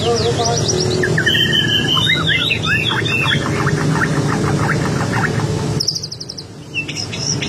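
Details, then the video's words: White-rumped shama singing a chatty 'bawel baceprot' style song used to provoke other birds into replying; varied whistles and rapid repeated chattering notes, then a high buzzy burst near the end, over a steady low background hum. "Suara Burung Murai Bawel Baceprot utk pancingan langsung nyaut"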